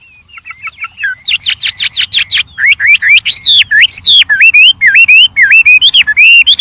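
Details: White-rumped shama in the wild, song full of variation: soft whistles lead into a burst of rapid clicking notes, then loud, swooping whistled phrases rising and falling in quick succession.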